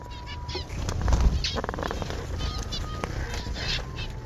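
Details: Zebra finches in an aviary colony give short nasal beeps and chattering calls over wing flutters and low rumble.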